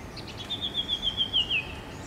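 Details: A common iora on a flame of the forest tree gives a fast, high trill of about eight wavering notes, gently falling in pitch over a second, against a soft outdoor hiss.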